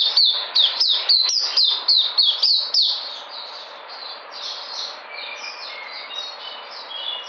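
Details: A white-eye, recorded 13 February 2020 as it comes back into energy, sings a fast, high twittering run of thin chirps, about three a second, loud at first and then continuing in a softer, rambling warble.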